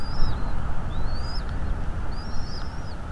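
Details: Nest-camera recording of bald eagles in North East Florida, 2 February 2022 around 17:17: three thin, high, slightly wavering whistles in quick succession against a strong, steady low wind roar.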